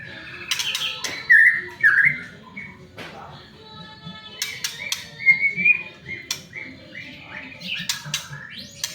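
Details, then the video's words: Singing white-rumped shama, used to coax other shamas into song: scattered short bright whistles and a brief warbled phrase, broken up by dry clicks and knocking sounds. "pancingan murai batu agar cepat bunyi"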